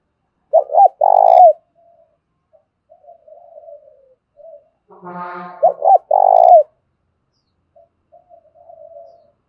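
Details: Lure spotted dove in thổ pha style giving a fighting call: two full phrases of short coos and a long buzzy rolling note, with soft murmuring coos between and a brief brassy, horn-like tone just before the second phrase.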